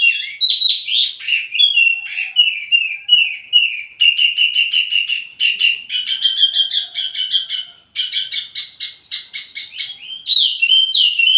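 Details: Wambi mini song meant to lure and teach tledekan birds: a long, lively sequence of high whistles, rapid chattering trills and dense warbled phrases, with one brief pause midway.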